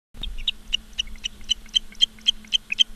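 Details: Ospreys at a nest in Charlo, Montana, on 15 August 2023 at 16:06, filmed by a live nest camera: sharp, high whistled chirps repeated about four times a second, with a steady low electrical hum beneath.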